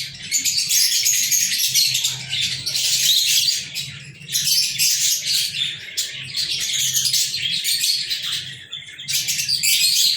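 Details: Pet lovebirds on 14 February 2023 produce a steady, noisy chorus of shrill chirps, squeaks and rasping twitters, swelling and easing in waves for about ten seconds.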